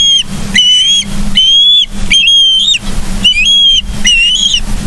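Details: Osprey at a Charlo, Montana nest, live cam, 31 August 2023, 09:36: drawn-out whistled calls about half a second long, slightly wavering, repeated roughly every second, over a low hum and faint rustling.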